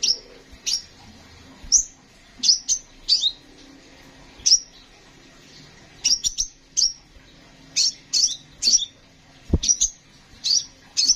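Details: Kolibri ninja sunbird pouring out rapid high chirps for songbird tutoring, clustered in twos and threes with short gaps, bright and piercing, one dull knock late on.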